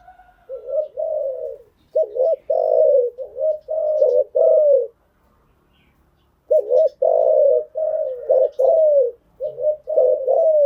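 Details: Spotted dove decoy call for training freshly caught birds: two runs of rapid mellow coos, notes rising and falling, separated by a silent pause of about a second and a half.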